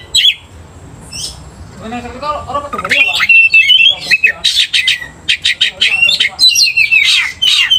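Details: Oriental magpie-robin song played to stir another magpie-robin to aggression; a brief low harsh rasp early on, then a fast series of short chopped whistles and trilled notes building in loudness.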